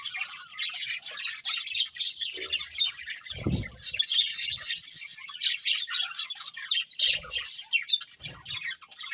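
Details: Budgerigars chirping: lively squeaky twitters and chattering warbles run on without pause, broken by a few low thuds, the loudest near three and a half seconds.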